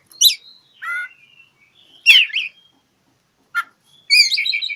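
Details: Oriental magpie-robin (kacer) singing to challenge an opponent: sharp downslurred chips, a short whistled phrase, a loud ringing burst, then a rapid trilled warble at the end.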